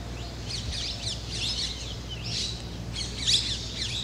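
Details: Black Drongos, a pair perched on white temple spires in Rajasthan, India, sallying out to catch flying insects; bursts of sharp, high chirping notes come in clusters, with some scratchy, twittering phrases and a steady low hum beneath.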